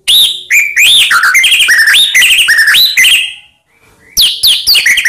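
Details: White-rumped shama song played to provoke other shamas: a long loud flow of varied rising and falling whistles and chatter, a short gap, then more sharp rising notes.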